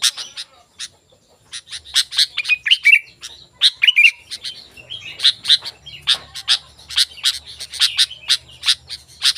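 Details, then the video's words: Sooty-headed bulbul singing energetically, a recording used as a lure to draw wild bulbuls and as a tutor for caged birds; bright, fast chirps with short warbled whistles near the middle, then steady rapid chattering notes. "Suara Burung Kutilang Gacor"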